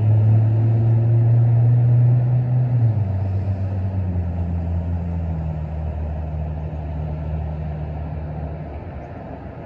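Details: A vehicle engine idles loudly with a deep steady hum that drops in pitch after a few seconds; no calls are heard.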